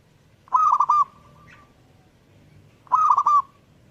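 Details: Zebra dove repeating its song, two rippling phrases of rapid, stuttered cooing notes about two and a half seconds apart, each ending in a drawn-out tail, with a quiet background between them.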